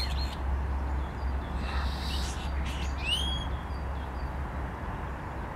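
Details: On 10 April 2021 a common starling imitates a grey partridge. Scratchy noisy bursts lead into a single bright upward-sweeping whistle with ringing harmonics, under a persistent deep rumble.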